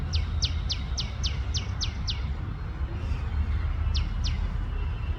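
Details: Tiny tailorbird in India calling loudly: a quick run of eight sharp, downward-slurred chirps, then a pause and two more, with constant low background rumble.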